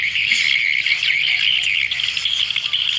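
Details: Swiftlet lure recording meant to call swiftlets together: a dense, unbroken chorus of many overlapping high twittering chirps, steady and loud throughout.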